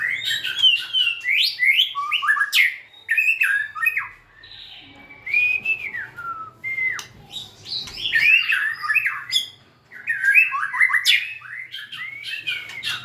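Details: White-rumped shama pouring out a long, varied song: loud rapid chirping runs, falling whistles and warbled phrases broken by brief quiet gaps.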